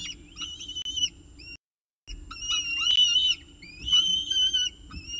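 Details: At the CSU Orange nest on 19 October 2018, a peregrine falcon with breakfast gives warbling, whistled whines in wavy strings, pausing briefly once, over a faint low mechanical hum.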